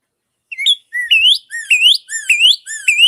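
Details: In spring, when male Northern Cardinals sing around the edges of their territories, a cardinal gives its classic song: a quick run of about five loud, clear, upslurred whistles, like 'pretty pretty pretty'.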